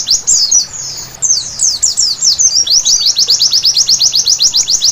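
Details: White-eye at night, a therapy recording for bringing on energetic song: jumbled, very high twittering phrases broken by a brief pause, then a quickening run of sharp down-swept notes.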